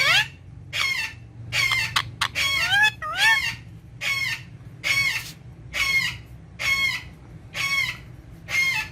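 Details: Green ringneck parrot at a mirror, said to be talking in Urdu and Hindi, giving a steady series of harsh, ringing squawks, roughly one a second, with a few quick double notes near the start.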